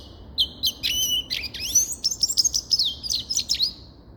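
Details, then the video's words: Grey-crowned goldfinch delivering a rapid stream of high twitters, slurred whistles and buzzy trills lasting about three seconds. "Sava Sayrashi Седоголовый Щегол Голоса Птиц"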